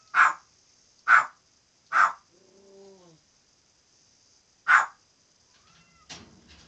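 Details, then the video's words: Barking pet parrot: three quick rough barks under a second apart, a soft low wavering whine, then one more bark and a scratchy rasp at the end. "Parotte making noises!"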